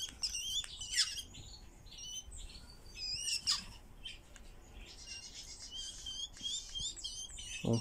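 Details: Eurasian golden orioles kept in captivity, being played with by a person. Many short, high chirps and squeaky rising notes come in quick bursts from several birds, with faint background noise.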